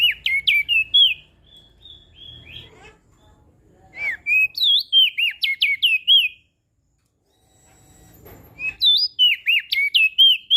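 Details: Crested white-eye of Lombok singing vigorously as a tutor for reluctant singers: quick runs of bright whistles that swoop up and down, in three bursts separated by short gaps, over faint low rumble.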